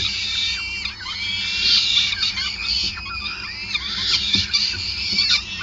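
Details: Peregrine falcon at a Groningen nest during feeding, 5 May 2020; dense, continuous rasping cries with strained, wavering notes, carried over a persistent low-frequency hum.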